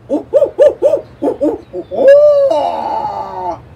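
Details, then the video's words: Recorded barred owl, the owl said to always make a ruckus, played back: a rhythmic series of about eight short, even hoots, then a long, drawn-out wailing hoot that slides downward at the end. "if you hear that, it's a barred owl."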